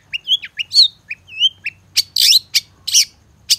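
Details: Long-tailed shrike (cendet) lure song rich in imitated fill-ins: first clear, sliding whistles and short chirps, then loud harsh rasping bursts spaced roughly half a second apart.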